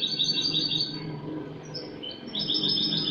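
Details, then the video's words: Spanish goldfinch from last year singing clean song, cante limpio, 22 August 2018: continuous glittering high twitters broken by one short pause, over a constant low hum. "jilguero español cante limpio"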